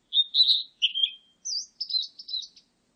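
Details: Blue-and-white flycatcher song: a clear whistled opening followed by lower slurred notes, then a quick series of high twittering notes, all in a quiet setting.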